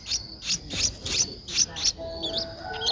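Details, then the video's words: An 11-day-old Streak-eared bulbul nestling recorded 13 April 2023 in Ubon Ratchathani, Thailand; sharp high chips roughly every third of a second, then softer rising notes, with a constant high tone behind. "นกปรอดสวน อายุ 11 วัน : Streak-eared Bulbul"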